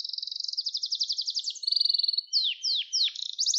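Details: Gloster canary singing, a recording for teaching young canaries: a long rapid high trill, then a steady whistled note and three sharp descending swoops, closing with another trill.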